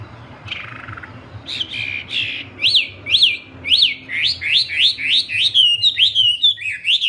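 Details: Wambi in spirited song, starting with a faint buzz, then a run of sharp whistled notes that each leap up and drop, repeated more than once per second, over a low hum.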